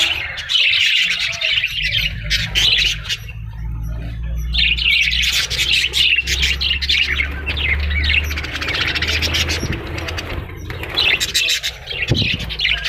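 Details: Parrots chattering and squawking in high, scratchy bursts with brief lulls, over a steady low hum in the background.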